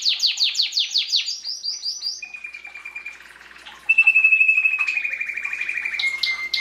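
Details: Belgian canary song from 2016, played to encourage chicks at breeding time: fast cascading downward sweeps give way to two long, level, rattling trills.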